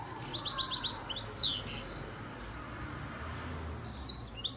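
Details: European goldfinch, a 2019-hatched young bird from Antalya, Turkey, singing a quick run of thin, high twittering notes at about four per second, closing on a downward-slurred note, then a quiet pause before another bright burst of chirps.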